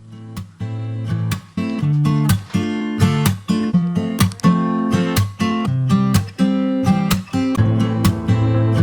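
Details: Loud strummed acoustic guitar chords ring out in a steady rhythm, with no bird or other animal sound.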